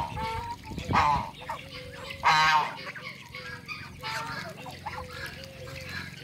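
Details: Backyard call duck meeting Cayuga ducks, giving a few strong, grating quacks rich in overtones, two louder than the rest, with softer calls and a constant low droning background.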